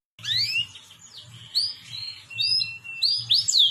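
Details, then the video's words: Song from a masteran of cucak jenggot, cililin and canary: varied sweeping chirps and slurred whistles, rising and falling in quick succession, over a faint low hum. "masteran cucak jenggot cililin kenari"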